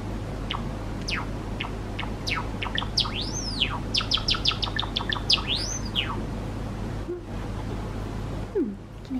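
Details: One of two pet male Java sparrows, a sakura and a pied, sings indoors on a rest day from nesting: quick bell-like clicks and chirps broken by two rising-then-falling whistles over a steady low hum.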